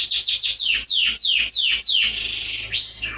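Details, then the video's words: Atlantic canary singing for young birds in training: a series of about ten loud descending sweeps repeated roughly every fifth of a second, then a steady high rolling trill and one rising slur. "CANARY SINGING - Serinus canaria | كناري | canarios"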